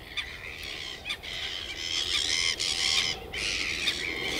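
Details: Red-gartered coot of Chilean lakes and lagoons, an aquatic swimming and diving bird; harsh, buzzy squawks run together in a busy, overlapping chorus, with short breaks between bursts.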